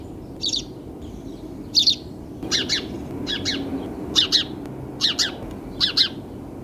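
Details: Repeated sparrow chirping, bursts of two or three quick bright notes, some louder and some softer as if from more than one bird, about every half second to second over low background noise.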